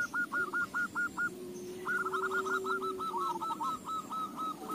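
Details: Zebra doves singing, used as a lure to make other doves sing. Repeated short cooing notes in two rhythmic runs sound over a steady background hiss and a low droning hum.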